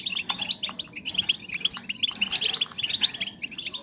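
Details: Female European goldfinches calling to bring males into breeding condition; a lively, dense twitter of high, short, clear notes and trills, overlapping continuously at a steady pace.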